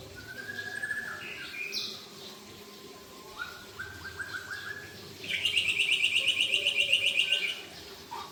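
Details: White-rumped shamas trading borrowed song phrases: soft whistles and a stepped series of notes, then a loud, even, rapid trill about five seconds in.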